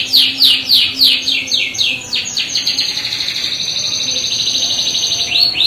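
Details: Canary singing a gacor rolling song meant to provoke other canaries into answering: fast repeated high sweeping notes, then a long buzzy trilled roll, rising sweeps returning at the end.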